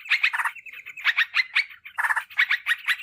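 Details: Lure sound of yellow-vented bulbul for calling wild birds: short clusters of bubbly, slightly harsh chirps separated by brief pauses, about three groups over three seconds.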